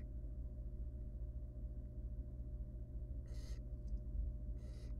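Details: Wild barn owl nestling in a monitored nest box, begging while its mother feeds it and it tries to eat a huge rodent: two short, harsh, broadband hisses near the end over a steady low hum.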